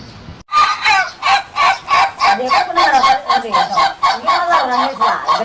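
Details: Laughing chicken (Ayam Ketawa) crow, an Indonesian breed: a rapid run of rhythmic, pulsed syllables, about four each second, rising and falling like cackling laughter through five seconds.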